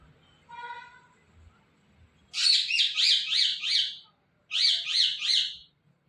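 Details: Pet talking parrot calling "Mithu": a brief harmonic note, then two bursts of loud, rapid, buzzy rising-falling chirps, four in the first and three in the second, with a person saying "Mittu" around it.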